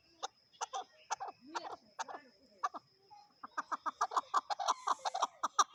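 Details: Chukar partridge calling: a series of low, hoarse clucking notes that starts spaced, with short gaps, then speeds up into a fast, steady run of chuk notes.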